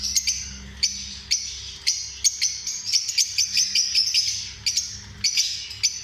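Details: Lovebirds giving sharp, high-pitched chirps in quick bursts, some notes repeated several times a second and others spaced about half a second apart, with a steady faint hum beneath.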